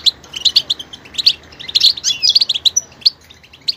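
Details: Singing goldfinch switching between sounds, dense tinkling twitters and short chirps delivered in a quick, continuous flow with a few sliding whistled notes.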